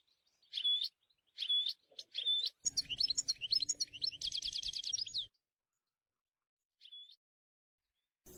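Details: European goldfinch in the wild: three clear, piping whistled notes, then a fast jumbled twittering run ending in a buzzy trill, a pause, and one more lone whistle, against a quiet background.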